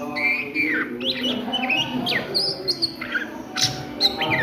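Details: Midday ngriwik song from an Oriental magpie-robin: clear whistled notes, slurred down and up, alternating with sharp high clicks and short twittered phrases over a low hum.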